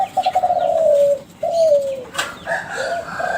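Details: Young Kelantan spotted dove bred from winning contest birds, used as a lure to draw replies from other doves: a rapid rolling trill stretching into a long falling coo, a second gliding coo, then bird chirps and a brief clatter.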